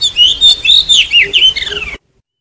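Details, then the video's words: Oriental magpie-robin decoy song, used to lure and trap wild birds and to stimulate singing: loud, rich run of sweet whistled and warbled phrases, swooping up and down, about eight notes in under two seconds, ending abruptly. "Tiếng chim chích chòe than mồi dùng để bẫy chim và kích chim hót"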